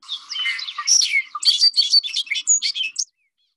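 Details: A male Bobolink, a grassland bird in the Chicago area, pours out a three-second burst of bubbly, tumbling song, high and metallic notes jumping quickly between pitches before stopping abruptly.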